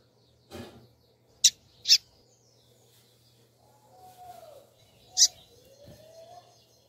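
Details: Female double-collared seedeater (Turbina type) calling: three sharp, high chip notes spaced a second or more apart, with faint lower whistled slurs and a steady low hum behind.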